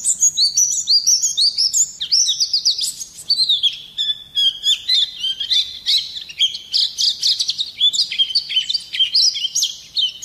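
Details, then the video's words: Oriental white-eye in energetic full song, used to provoke other birds into singing: rapid, continuous high twittering rolls of sliding whistled notes with harsh bursts, nearly unbroken. "Pleci gacor ngerol nembak kasar cocok mancing emosi"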